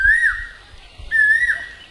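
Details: Asian koel calling in village surroundings in West Bengal: two clear whistled notes about a second apart, each sliding up, holding, then dipping at the end.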